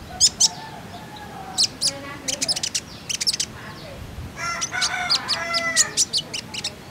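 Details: Common iora sound played as a lure to get birds singing: bursts of harsh, buzzy chattering notes in clusters, with a longer dense run of scratchy rattles and whistles near the end, over light background hiss.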